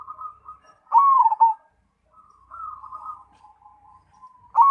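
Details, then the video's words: Zebra dove of the Cemani variety, singing actively: soft rolling coos near one pitch, then a loud bubbling phrase that dips in the middle, followed by quieter trilled notes trailing off before another loud burst at the end. "Perkutut Cemani Gacor"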